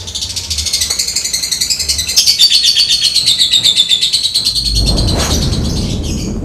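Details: Lovebird singing after rain in lively form, a long rapid ticking chatter of high buzzy notes around four per second, overlaid by a sustained trilling phrase, ending with a burst of low rumbling noise.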